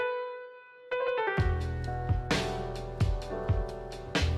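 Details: Piano and keyboard music with steady held notes, then drums entering at about one and a half seconds; no animal voice present.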